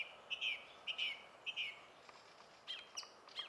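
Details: A probable Song thrush, recorded in Finland on 20 April 2016, sings a clear, whistled phrase three times in quick succession, then moves on to new, sharper phrases. Faint background hiss.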